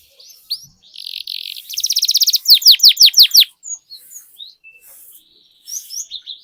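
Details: Canary lure song for prompting other canaries to sing and roll: soft whistles, then a buzzy trill building into loud rapid downslurred notes, followed by quieter scattered chirps and whistled phrases.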